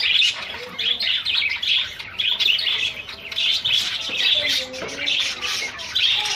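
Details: Several household zebra finches during lively moments and flights; busy stream of short, nasal, beeping calls and squawky chirps, overlapping and uneven in rhythm, with a few fainter lower tones underneath.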